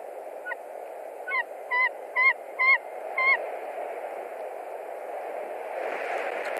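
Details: White-tailed eagle at a nest in Latvia, March 2021, screaming at a visiting stranger eagle: a quick run of six sharp yelping notes, then only steady background noise with a rustling sound near the end.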